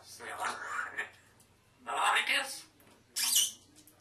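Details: Pet African grey parrot talking in a small room: three separate speech-like phrases with breathy, voice-like tones, the last ending in a sharp, high squeaky sweep.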